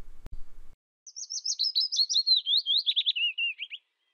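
Willow warbler song: a soft, sweet cascade of about a dozen whistled notes that slides gently downward over nearly three seconds, after a brief click.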